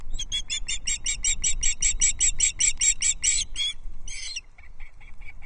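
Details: Osprey young at Loch Arkaig, 13 June 2024, jostle while a trout is delivered. Fast, sharp chirps come in a steady series for about four seconds, then one burst follows, then fainter, lower clipped notes.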